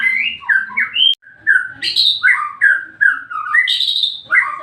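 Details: White-rumped shama singing to provoke another shama: rich whistled phrases that leap between low and high notes, with short pauses and a brief silence after the first second.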